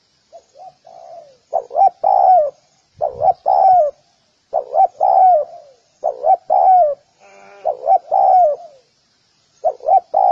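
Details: Spotted dove giving stuttering double notes that run into longer downward-curving coos, in irregular phrases, with quiet soft coos between them and a brief buzzy sound midway.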